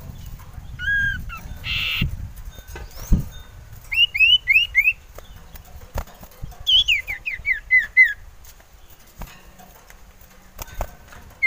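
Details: Male common iora, lure bird in mating mood, giving two paired whistles, a buzzy burst, then rapid trills of high down-slurred whistled notes, two bursts of about seven notes each.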